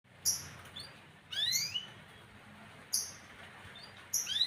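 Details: Caged canary singing: short bursts of bright, high notes and quick upward-sweeping slurs, separated by pauses of about a second or more, over a quiet background hiss.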